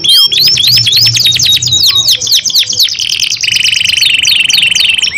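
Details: Caged canaries in a long 2-in-1 singing duel: fast rising whistled trills at the start, shifting into buzzy rolled notes and a long steady high tone, very dense and loud throughout.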